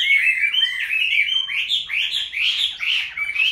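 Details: Caged Chinese hwamei, one of several kept from wild-caught youngsters into their fifth year, singing a loud, continuous run of rich whistled phrases with quick rising and falling slurs, sustained without pause across the whole stretch.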